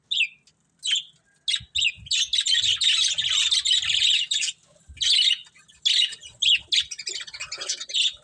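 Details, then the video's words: Budgerigars chirping loudly in repeated bursts of buzzy, warbling chatter, a long continuous stretch in the middle, separated by short silent pauses. "Cute Budgies Chirping Sounds"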